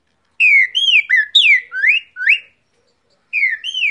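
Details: Cockatiel whistling an imitation of the great thrush (trinca-ferro) song: clear slurred whistles, some falling and some rising, strung into a quick phrase of about six notes. After a pause the phrase starts again.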